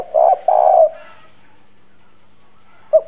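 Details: Decoy spotted dove with a hoarse country voice calling to excite wild doves: two husky sustained coos, then silence before a short note begins the next phrase.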